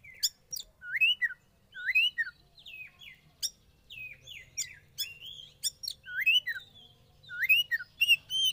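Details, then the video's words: Captive young oriental magpie-robin from the wild, undergoing sauna therapy, gives lively song of repeated looping whistles that rise then fall, each mixed with crisp high clicks, phrases coming roughly every second with a faint low hum behind. "Terapi Sauna Kacer Muda Hutan"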